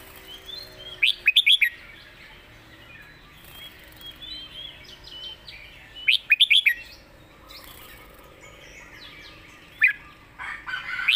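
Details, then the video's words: Red-whiskered bulbul competition songbird singing a clearly phrased 'master song': three short bursts of bright, rapid whistled notes about five seconds apart, with softer twittering from other birds between phrases. "เสียงดี''สำนวนชัด เพลงแม่บท/นกแข่ง#เสียงนกกรงหัวจุก"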